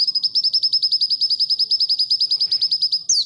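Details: Training song of an oriental white-eye for tutoring other birds: a sustained string of high, evenly spaced notes at about ten per second, closing with a sharp slurred note.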